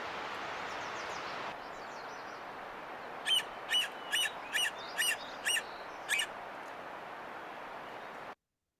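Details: Sapsucker in Washington giving a call used during a disturbance or territorial encounter: a series of seven sharp, scratchy notes spaced about half a second apart, rising out of steady broadband rushing noise, with faint bird chatter early on.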